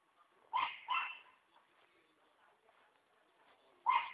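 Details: Hyacinth macaw roaming free on a farm property at Ilha Solteira beside Brazil's Paraná River: a rapid pair of rasping squawks, then silence, then a third loud harsh squawk.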